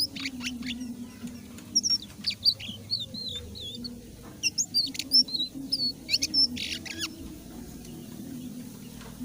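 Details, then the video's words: Indigo flycatcher in lively song: short, high whistled notes that rise and fall in quick, wavering phrases, repeated over several seconds, set against a steady low hum and a constant noisy background. "suara burung sikatan ninon gacor"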